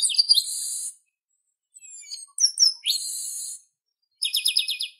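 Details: Chestnut-capped blackbird (garibaldi, also papa-arroz or xexeu-de-lagoa) in full song: high chirps leading into a long buzzy drawl, a pause, thin whistled slurs and another drawn-out buzz, then a fast rattling trill of repeated notes.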